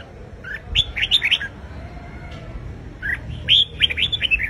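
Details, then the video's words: Red-whiskered bulbul singing a competitive song to rouse a wild-caught bird: two bursts of quick warbled, slurred whistles separated by a pause, over a low background hum. "Chào Mào Hót Đấu - Kích Chào Mào Bổi Ra Âm Sổ Bọng Hót Đấu Căng Lửa - Chào Mào Hót Sáng Ché Căng"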